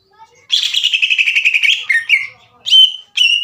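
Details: Greater green leafbird, likely caged, singing a long chattering trill likened to a sewing machine, meant to excite other leafbirds. A fast buzzy trill is followed by short slurred whistles and a clear high note.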